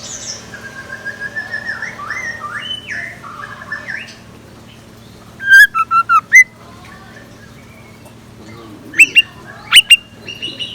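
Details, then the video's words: Scarlet minivet singing in the morning, used as a decoy: after a soft background of mixed chattering birds, a loud burst of five sharp, clipped whistled notes, then a few more bright notes near the end. "Tiếng Chim Chèo Lửa Mồi Hót Sáng"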